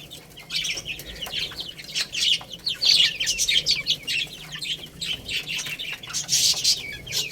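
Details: Little chicks at play and feeding, many voices giving shrill descending peeps in rapid overlapping bursts, mixed with crisp pecking taps and rustles.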